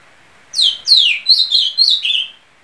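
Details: Ultramarine grosbeak, a bird kept in homes across Brazil, singing a loud clear phrase of five or six sweet whistled notes, each sliding downward, delivered in quick succession against a quiet background.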